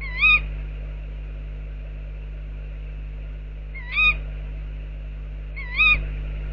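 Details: A tawny owl outside an owl box gives three sharp, shrill 'ke-wick' calls, a few seconds apart, over a steady low hum.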